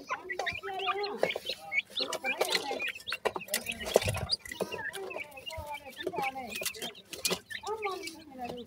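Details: Grey francolin (bhura teetar) chicks calling together: a dense, overlapping chorus of short upward-sliding peeps, with scattered sharp clicks and taps throughout.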